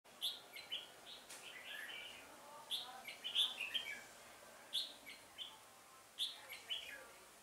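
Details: Red-whiskered bulbul used as a decoy during trapping, 1 October 2018, singing to provoke wild rivals: bright chirpy phrases of several quick notes, repeated about every one to two seconds, over a quiet hiss.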